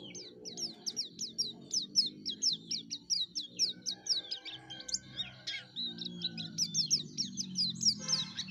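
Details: Yellow-breasted white-eye in full song, used as a lure for its kind: a steady series of high, quick down-slurred chirps repeated in rhythm, over a low murmur of background noise.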